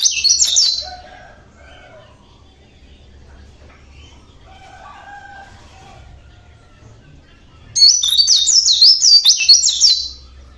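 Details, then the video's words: Natural song of a local Java Oriental white-eye: a short high twitter opens, faint softer notes follow during a pause, then a lively two-second run of rapid, high, wavering chirps. "burung pleci lokal Jawa bunyi alami"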